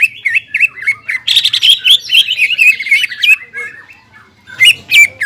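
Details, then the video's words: Lively crested greater green leafbird song for rousing stressed leafbirds that have stopped singing; rhythmic high whistled notes, then a fast warbling run, a quiet gap, and a final loud whistle. "CUCAK IJO GACOR JAMBUL NGENTROK PALING AMPUH MENAIKAN EMOSI CUCAK IJO STRES DAN MACET"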